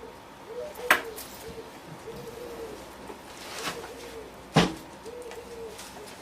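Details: A dove outdoors gives soft, low, hollow coos, repeated about every second and a half, heard from inside a taxidermy workshop with sharp tool clicks and a faint indoor hum.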